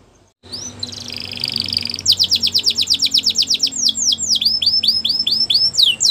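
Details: Belgian canary training song: after a brief buzzy opening, rapid rolled trills of high downward-sweeping notes, about two per second at first then quickening, shifting into slower looping whistled phrases.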